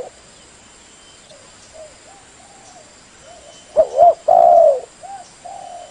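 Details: Spotted dove of the leopard-patterned tekukur blorok type, calling as a lure so other doves answer: faint scattered low coos at first, then one loud phrase of short rising notes and a long, falling hoot.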